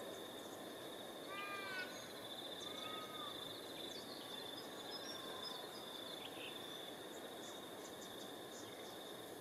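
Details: An Olive-backed Oriole (Oriolus sagittatus sagittatus) at Killalea Reserve, NSW, Australia, 26 March 2022, gives a short burst of mellow, rolling notes, then one lower note, over a steady high insect drone and faint chips from other birds.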